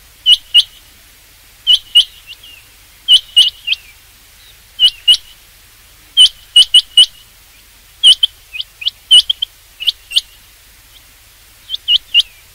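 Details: A long series of rain quail calls, crisp high metallic notes in pairs and triplets repeated every one to one and a half seconds, with faint twittering from other birds behind.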